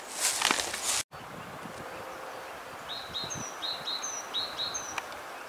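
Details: Eurasian wren hidden in grass gives short, thin, high notes in quick pairs, repeated about four times, after a burst of rustling at the start.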